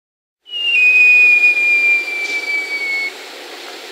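A Great Jacamar gives one long, pure, high whistle that slides slowly downward over about two and a half seconds, against a soft background hiss.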